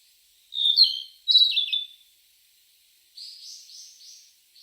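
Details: Unidentified bird calling: two loud, warbling, buzzy high phrases with slurred notes, followed after a pause by a softer series of four repeated harsh notes, in otherwise quiet surroundings.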